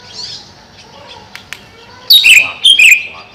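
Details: Cucak ijo, the greater green leafbird, caged above a pond: quiet start with faint clicks, then two loud, rich warbled phrases of slurred high notes.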